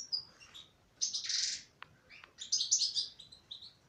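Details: Female European goldfinch singing: bursts of bright, buzzy twittering notes, one dense rasping burst in the middle and a quick liquid run of chirps at the end, with two sharp clicks between phrases.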